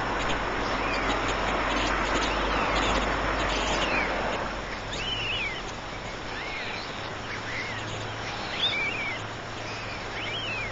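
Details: Nest of white storks holding three chicks. Rushing noise at first, then a series of high, bent, mewing calls at irregular intervals.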